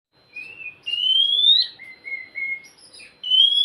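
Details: Oriental magpie-robin song played to encourage a quiet bird to sing: clear whistled phrases, long notes rising slowly, a run of three level mid notes, then a final rising whistle.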